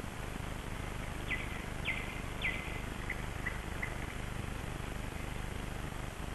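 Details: Early-dawn birds at Kasmu on 21 May 2012 in sunrise light: three descending high notes spaced about half a second apart, then softer fainter chirps, over a steady low rumble.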